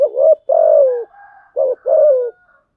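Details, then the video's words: Lure spotted dove cooing to provoke other doves into calling: two deep phrases, each a brief note then a longer, slightly falling coo, with little background sound. "Tiếng chim cu gáy mồi thúc gù kích là gáy 100%"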